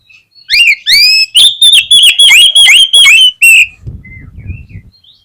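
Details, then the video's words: Oriental magpie-robin lure song meant to get other magpie-robins singing: an energetic run of loud, ringing whistled notes repeated rapidly, roughly three per second, ending abruptly before a low rumbling background. "PANCINGAN KACER INI PALING CEPAT BIKIN KACER LAIN BONGKAR MATERI"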